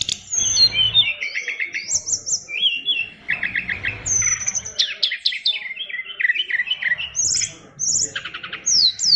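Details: Oriental magpie-robin kept in a cage, its song said to brim with learned phrases, delivers a rich stream of trilled chirps, quick rattles and high whistles, changing phrase every second or so.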